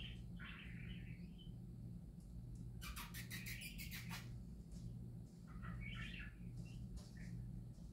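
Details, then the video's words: Happy parakeets chattering with short warbled phrases at the start and end, interrupted midway by a rapid series of broadband rustling clicks, low hum throughout. "Parakeets Singing Happy Parakeets Parakeet Sounds"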